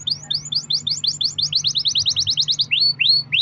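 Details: Canary giving a long rolling song meant to trigger singing in other canaries: rapid run of high, upward-slurred chirps accelerating into a dense trill, ending with slower swooping whistles; low hum in background.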